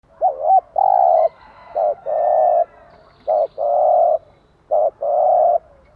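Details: Spotted dove cooing in the morning, recorded to train and stimulate caged doves: loud mellow coos in short-long pairs, a brief note then a sustained purring coo, repeated three times, little else heard.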